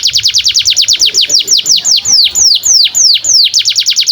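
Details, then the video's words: Domestic canary giving a long, continuous song meant as tutor audio for young canaries and for canaries that have stopped singing: fast runs of high, downward-slurred whistled notes that slow slightly midway, then speed up again. "SUARA BURUNG Kenari GACOR PANJANG INI Cocok untuk Masteran KENARI PAUD dan Kenari Macet BUNYI"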